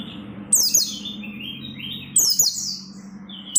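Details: Oriental white-eye singing persistently to draw song from other white-eyes: two lively bursts of very high, sliding twitters about 1.6 seconds apart over a faint low hum.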